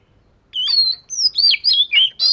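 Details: Oriental magpie-robin, fish-scale type, in voice-training song: a long sweet whistle, then a string of short, slurred notes bending up and down, about six phrases in under two seconds, clean and loud.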